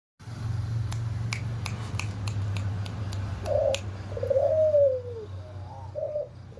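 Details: Red-eyed white albino Barbary dove with a hoarse voice: a series of soft clicks, then throaty low cooing, with a drawn-out descending coo in the middle and short rolling notes after it over a steady low hum.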